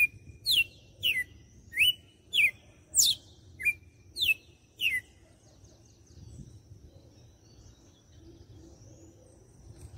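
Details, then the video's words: Red-cowled cardinal, Fortaleza, Ceará, giving the "açoite" song style: eight or nine bright whistled notes, some falling steeply, others rising, in a quick run lasting about five seconds, then quiet with only faint distant chirps. "Galo de campina - CANTO DE AÇOITE."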